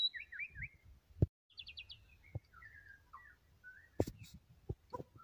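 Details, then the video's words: Lively white-rumped shama song: looping trilled phrases, a fast buzzy high series, then descending whistles, with intermittent knocks and clatter nearby. "KICAUAN BURUNG MURAI BATU PUKUL RATA GACOR"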